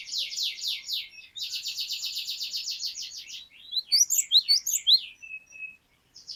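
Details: Cinereous tit (glatik batu) singing: long fast buzzy trills of repeated high notes, then a phrase of loud, sharp, upslurred whistles, ending in a thin level whistle.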